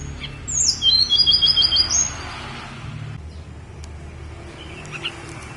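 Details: Snowy-browed flycatcher from Gunung Songgo Langit gives a brief, rapid, high-pitched twittering phrase of quick repeated notes lasting about a second. Quiet background hiss and low rumble follow.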